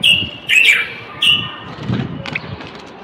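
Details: Common bulbul, a male, singing to stimulate males to sing and prepare females for mating: three loud whistled phrases near the start with rich warbled notes, then softer chirps, over low rumbling background noise.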